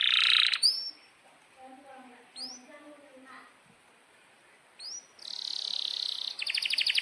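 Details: Canary singing a long rolling song, intended as a tutor for young canaries learning to sing. A loud buzzy burst opens, followed by sparse upslurred chips over a quiet gap, then a dense high trill and pulsed roll at the end.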